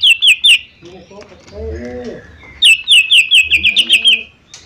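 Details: Cucak ijo mini in full song: loud repeated slurred notes, then a brief quieter break of lower warbling chirps, then a longer rapid run of the same sharp notes.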